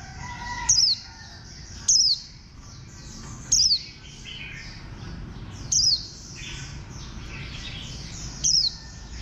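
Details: Warbling white-eye sounding five quick, shrill, descending notes at uneven intervals of one to three seconds, with faint background twitters and a low hum.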